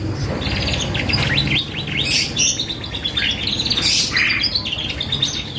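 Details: Canary song intended as a lure for other birds: rapid high trills and chirps over a noticeable low rumbling background, with bright bursts of sharp notes in the middle and later part.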